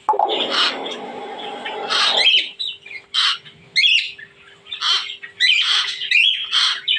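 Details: Captive talking myna kept as a pet, mimicking a koel: harsh, noisy squawks, then a series of loud chirps and buzzy calls spaced about a second apart, with faint household sounds.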